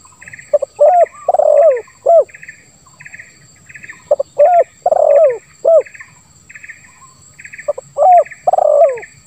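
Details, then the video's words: Spotted dove in the 'lambung kuk 1 suara ngeruk' style, with three phrases of deep mellow coos. Each holds a long rasping, falling central note. Steady pulsed insect chirps repeat about every second throughout. "Suara Tekukur Terbaru ll Lambung Kuk 1 Suara Ngeruk"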